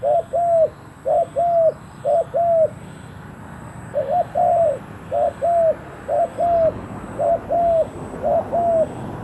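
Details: Decoy spotted dove calling to wild doves. It utters a rapid series of paired hoarse coos, three pairs, a short pause, then five more pairs at an even rhythm.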